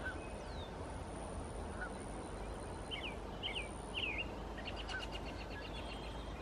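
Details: At the Squamish River estuary in British Columbia, an American robin gives a few brief warbled whistled phrases near mid-clip, partly masked by loud steady rushing noise, with a faint high tone and a scratchy buzz toward the end.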